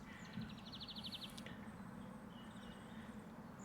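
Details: A greenfinch flies over a village pond in Huntingdonshire with frog spawn and tadpoles, giving a quick, dry trill of about ten even notes in under a second; faint later chirps and steady low background rumble.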